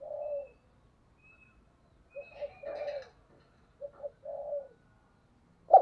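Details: Spotted dove decoy bird in 2022, cooing softly in three separate phrases of short notes and a longer falling coo, with a sudden loud thump at the end.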